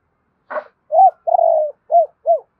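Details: Spotted dove coo phrase used to quickly rouse decoy birds: a click, then an arched coo, a drawn-out buzzy descending coo and two short rounded coos.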